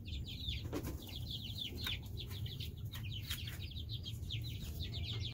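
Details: Young chickens, three broods hatched weeks apart, keep up a dense chorus of shrill downslurred peeps, with scattered scratching and rustling clicks and steady low-frequency hum.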